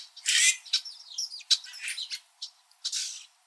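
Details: Red-winged blackbirds in winter, perched high on backyard tree branches in Southern Ontario, Canada, chirping at each other: a string of short, high, harsh chirps and squeaky notes with brief gaps, one louder burst at the start and another near the end.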